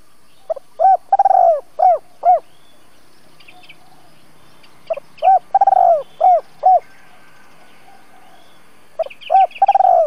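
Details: Captive lure spotted dove singing in the 'double voice' style, calling to provoke wild doves into answering for trapping; three cooing phrases of low hooted notes with a stuttering rolled coo, separated by pauses, faint chirps of other birds.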